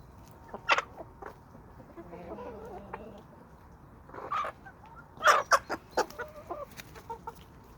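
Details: Homestead chickens and roosters from a small suburban flock in Toxandria; loud, close clucks and sharp squawks in clusters, a softer murmuring call in between, then a rapid run of clucking near the end.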